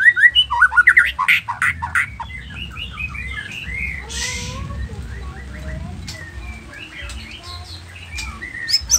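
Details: Nias noktah white-rumped shama in constant, varied song intended to make other shamas respond. A burst of loud, quick mixed notes opens, then softer chattering and thin whistled slurs continue with a brief noise burst midway.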